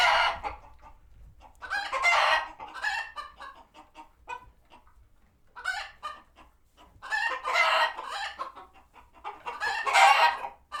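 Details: Flock of farm sanctuary chickens alert to a nearby hawk; strong harsh squawk bursts every few seconds, with trailing series of quick soft clucks between.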